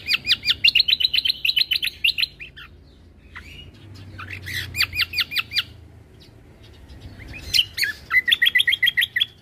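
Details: Cucak kombo delivering 'full isian tembakan' song for training caged birds: three bursts of very fast, sharp, high chattering notes, the first long and dense, separated by brief pauses with scattered chirps.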